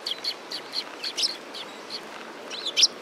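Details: Several sparrows at a Tenmangu shrine on 15 November 2016 give a busy run of short, high chirps, about two to three per half second, the final notes louder and sharper.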